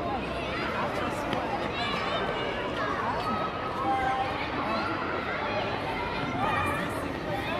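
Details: A large gathering of common starlings at 17:10, flying between city streets, keeps up a continuous wall of overlapping chatter, whistles and squeaky clicks, steady and dense with no pauses.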